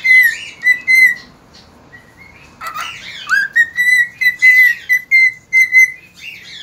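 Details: Cockatiel singing at dawn, recorded 3 September 2019: clear whistled notes near one pitch with rich overtones, some rising slurs and brief harsher chirps, delivered in quick irregular bursts.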